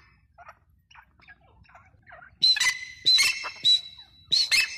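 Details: Faint scratchy notes lead into a few loud, ringing grey francolin calls with sharp high tones, each separated by brief gaps.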